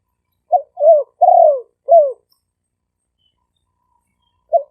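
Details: Decoy recording of caged spotted doves of Malay and lively-style strains from Roi Et, Thailand, for luring birds: one phrase of four deep coos, the third longest and drawn out, followed by silence and a short opening note.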